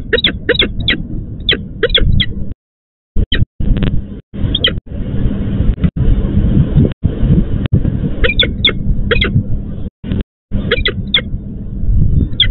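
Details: At a nest in Łódź, Poland, a female peregrine falcon summons her absent mate for the changeover, giving bursts of sharp, grating notes with a break in the middle, over steady low hum.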